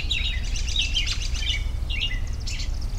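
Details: Several wild birds singing together in a relaxing outdoor recording, with bright chirps and short whistled phrases that slide downward, overlapping trills, and a steady low background rumble throughout.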